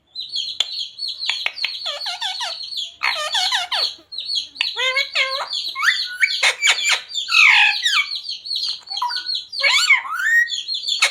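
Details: Parrot producing mimicked speech, phrases like radhe radhe and mummy papa; constant rapid chatter of nasal syllables, clicks and harsh squawky notes with hardly any gaps.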